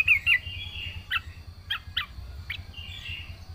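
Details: Yellow-vented bulbul singing vigorously with fill-in phrases. A few sharp whistled notes open, then separate short chips are spaced roughly every half second over a soft hum.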